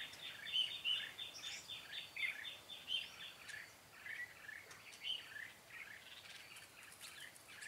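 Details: Red-whiskered bulbul song at a trapping site on 13 March 2017, where a decoy sings to draw in wild birds; busy, bubbling whistled notes in fast chattering runs, then quieter scattered phrases amid faint outdoor noise.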